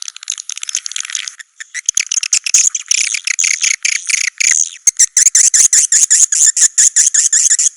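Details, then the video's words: Swiftlet calls: a busy stretch of high, rasping twitters gives way to a rapid series of dry, sharp clicks and short chirps repeated several times a second. "SUARA BURUNG WALET"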